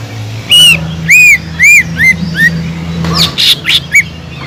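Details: Sumatran leafbird song used to fire up a caged bird lacking fight: loud arched whistled notes repeated about every half second, then a burst of harsher squawky notes, over low hum.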